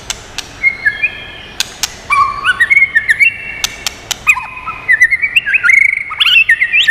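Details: White-rumped shama song for stimulating and training birds, with sparse sharp clicks, then a long, varied run of clear whistled notes that slide up and down and grow denser and louder toward the end.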